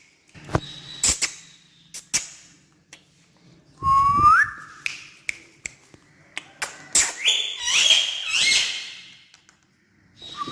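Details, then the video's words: Talking parrot jumping on a stair gives a loud rising whistle that swoops upward and then levels off, with several shorter squeaky notes after it and sharp tapping and clicking sounds scattered throughout. "Funny Jumping Talking Parrot On Stair"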